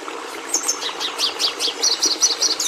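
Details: Red siskin singing: thin, high chirps and short zigzag notes, sparse at first and then coming in quicker bursts, over a low steady background hiss.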